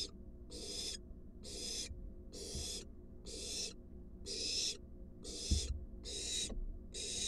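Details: At a monitored nest box, a wild barn owl adult delivers a large rat to its fledgling. Nine or ten rasping hisses follow one another roughly every 0.8 seconds, with a few soft knocks in the box.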